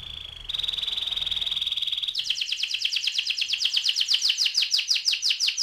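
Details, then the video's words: AF canary singing in ngerol (rolling) style: a short noisy start, then a long steady high whistle, breaking into a fast trill of repeated downward-sweeping notes that grows louder toward the end. "kenari AF ngerol"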